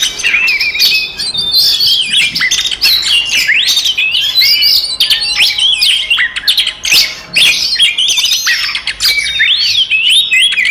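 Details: Long, restless fighting song from an Oriental magpie-robin, meant to provoke rivals, packed with sharp whistled notes, buzzy chips and swooping slurs in an almost unbroken stream, with only brief gaps.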